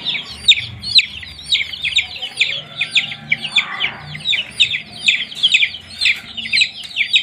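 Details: Newly hatched chicken chicks kept under supplied heat, peeping constantly: high, thin, downward-slurred cheeps overlapping several times a second from a group, with a faint low hum beneath.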